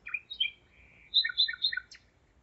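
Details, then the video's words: Common nightingale singing at 01:55 on 5 May 2017 in Zeitz, Germany: a varied phrase of short whistled notes, a sustained mid-pitched whistle, then a run of repeated rich chirping notes ending in a sharp upward flick. "Gesang der Nachtigall - Song of the nightingale"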